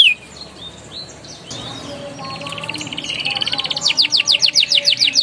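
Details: Canary song used to coax young canaries: faint high chirps and a soft buzzy roll over background hiss build into a loud run of quick descending chips at the end.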